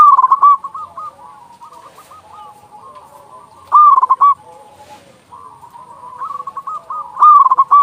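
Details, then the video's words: Zebra dove, local bird with strong voice, used to rouse doves to sing. Loud pulsed cooing phrases open, recur midway and close the stretch, separated by soft warbling coos of other doves. "Perkutut lokal gacor suara besar Masteran burung perkutut agar cepat bunyi"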